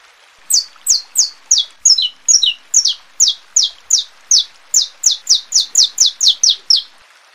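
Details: Saffron finch song used to warm up males, prepare females and tutor young birds: a fast series of sharp, high descending chirps, about two per second, some doubled, steady and loud with no other sounds.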